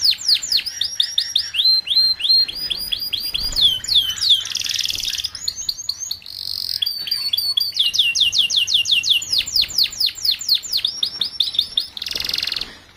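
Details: Canary song played to tutor young canaries kept in a group so they start singing quickly: swift runs of swept whistled notes broken by short buzzy rattles, resuming in fast evenly repeated trills.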